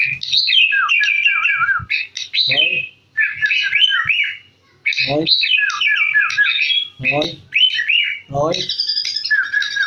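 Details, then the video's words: Caged sooty-headed bulbul from Jakarta singing busily, with dense tumbling whistled notes almost without pause, cut through by repeated low, harsh, rasping sounds. "KutiLang Gacor BukPaR suara asli"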